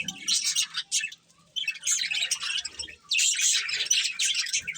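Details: Colourful budgies give bursts of squawky, high chirps and warbles, separated by two short silences near one and three seconds.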